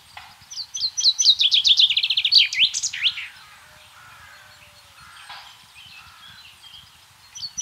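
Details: Common chaffinch singing in rural central France, 24 March 2012: a fast series of crisp notes sliding into an ending flourish, then quieter, more distant bird notes before another song begins.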